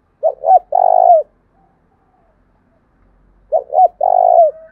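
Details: Spotted dove decoy call in thúc bổi style, used to lure wild doves, voice type called thổ đồng; two low cooing phrases, each two short hooting notes then one long drawn-out coo, about three seconds apart, quiet background.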